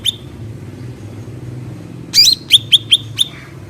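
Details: Bulbul called cucak ranting, heard in nature: a single whistled note, a pause, then a squeaky burst followed by four crisp chips in a regular row, over steady low background hum.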